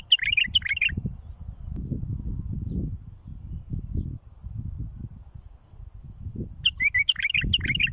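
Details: Bulbul phrases for tutoring fledglings: a fast bubbling run of chirps at the start and another near the end, six seconds apart, with a constant low rumble between.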